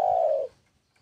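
A spotted dove gives a single soft, low coo, held for about half a second and falling slightly in pitch before stopping. The background is quiet.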